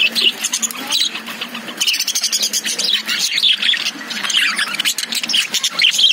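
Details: Caged lovebirds keep up a continuous, scratchy chatter of high chirps and squeaky notes, pulsing in rapid uneven bursts over a faint low hum.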